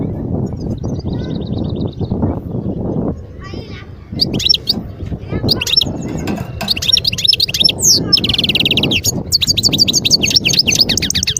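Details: Wild European goldfinch at Guerbaz, Skikda, Algeria, 2022. A short buzzy trill starts after low rumbling noise, then a quieter gap, followed by increasingly dense twittering and a long, fast, buzzy trill toward the end.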